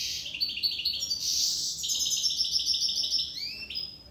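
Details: Corsican goldfinch in full song: a dense, fast, unbroken stream of tinkling, buzzy twitters and trills, ending with a couple of upslurred chirps.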